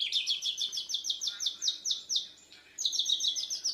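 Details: Young Bornean white-rumped shama learning to sing, answering a lure song with chest feathers puffed out; fast runs of high, sharply repeated chirping notes about eight per second, a short pause, then another rapid series.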